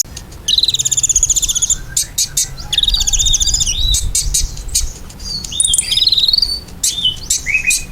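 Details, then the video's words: Ruby-cheeked sunbird singing briskly, meant as a lure for pet birds to answer: fast, even buzzy trills on a high pitch, broken by short pauses and sharp clicks, some trills ending in descending chirps. "KOLIBRI GACOR! PANCINGAN KOLIBRI NINJA BIKIN KONIN ANDA CEPAT NYAUT"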